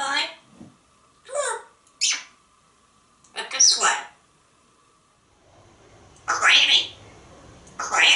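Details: A pet African grey parrot talks in short, bright, word-like bursts at a party, inviting his date outside, telling her to eat her corn, calling her smart and asking for a kiss, over a faint hum in a small room.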